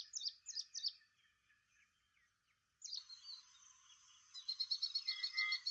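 Ashy prinia giving bright, chirpy high notes in quick groups of three, then a harsh buzzy burst and a fast run of repeated high ticks.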